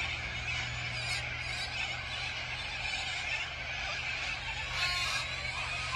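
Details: Corellas crowding together at Tocumwal on the Murray: a constant noisy blanket of shrill, scratchy flock calls, with a brief louder burst near the end.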